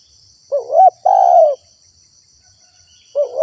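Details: Lure recording of a spotted dove for drawing in wild birds: one full two-part coo, a bending rising note then a long mellow falling note, then the next phrase starts after about two seconds' pause. Continuous shrill insect background.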